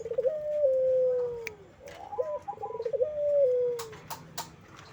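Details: Puter collared dove giving frequent ceplekan-style coos. One long descending drawn note opens, then a brief rising note and a rapid pulsed stutter lead into another long, gradually falling coo. Faint ticks and a low hum run underneath.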